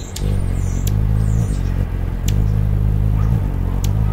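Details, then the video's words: Anna's hummingbird in suburban Portland, Oregon, December 2010: wingbeats alternating between 50 and 60 hertz make a low, steady buzzing hum that swells and dips, with a few sharp clicks throughout. "Hummingbird with actual wingbeat sound"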